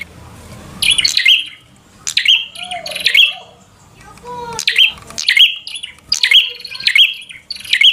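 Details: Bar-winged prinia singing to provoke a rival to fight: bursts of loud, sharp, high chirps in rapid series, broken by short pauses with a soft lower whistle, over faint background hum.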